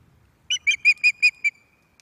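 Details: Resident female Osprey calling from the nest at Loch of the Lowes in May 2024 evening: six piercing whistled chirps, the first slightly wavering, the rest steady and evenly paced, ending abruptly.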